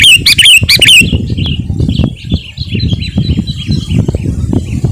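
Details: Sooty-headed bulbul gacor singing, used as a lure for wild birds and to provoke rivals: two loud fluty phrases open, followed by a string of faint distant chirps above steady low background rumble.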